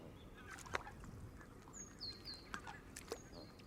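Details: A flock of Canada geese surrounds a camera left running in green grass at the water's edge, where they came in to feed. A few short, loud honks stand out against thin, high chirps from small birds.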